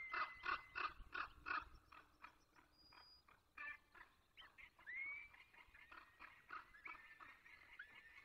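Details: Peregrine falcon, Barycz Valley, 8:20 on 24 April 2021. A rapid series of gruff, repeated notes comes first, then rising drawn-out whining calls. Thin songbird notes are heard faintly.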